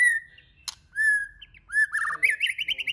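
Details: White-rumped shama singing to excite other shamas to sing: long, level whistles separated by a sharp click, then a rising whistle that turns into a quick, buzzy, rolling trill.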